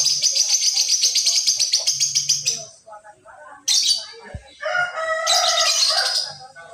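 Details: Lovebird in ngekek song, used as pancingan to draw birds into singing: a long, fast, even trill of high rasping notes for over two seconds, then a pause and a denser, harsher burst of chattering.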